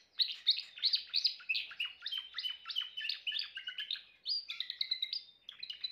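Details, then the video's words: Rapid, strongly pulsed song of a Timbrado canary, sharp chirping notes repeated steadily, shifting near the end into higher clear whistles and short rolling trills. "chant canari timbrado l meilleur chant canari l اقوى تغريد كناري"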